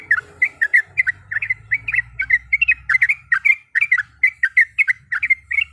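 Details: Yellow-vented bulbul, a female calling a male to anger a rival, pours out a continuous stream of liquid chirps in short clusters, with a low droning noise running underneath for much of the time.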